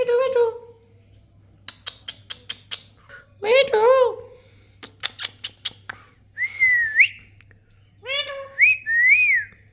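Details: Parrot vocalizing: a low voice-like note, a quick series of sharp clicks, wavering warbled calls, then clear whistled notes that rise and dip, all over a constant low electrical hum.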